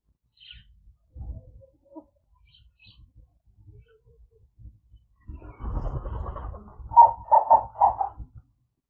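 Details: Purple-crested turaco visiting a garden in White River, Mpumalanga, South Africa, where it comes to feed in the mornings; after quiet rustling and low thumps, a loud run of four hoarse, pulsed notes closes the recording.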